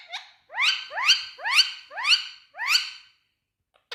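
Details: Indian ringneck parakeet, green, repeating the same short rising word-like syllable five times at roughly half-second intervals, then falling silent.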